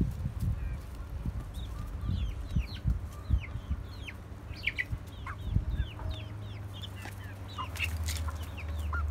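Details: Chickens in a family coop with a rooster, hens and well-grown chicks: many short, high, downward-slurred peeps repeat rapidly throughout, over low rumbling clucks and thuds in the background.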